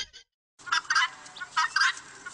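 A guinea fowl gives harsh, grating cackles in quick bursts about every half second to second, each a rasping chatter, with a brief cut-off sound at the start.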